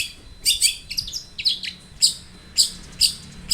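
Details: Lure recording of a vocal long-tailed shrike: high, scratchy doubled chirps and short slurred whistles, spaced roughly every half second.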